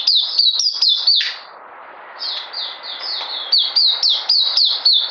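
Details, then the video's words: Mousey song of a puteh, or oriental white-eye, recorded 9 June 2019. A run of high sliding notes, a pause of about a second, then the quick thin descending phrases resume. "Puteh Mousey"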